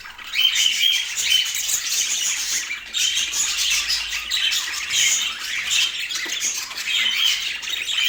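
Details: Budgies in Portland keep up a busy, continuous warbling chatter of bright chirps and scratchy notes, several birds calling over one another.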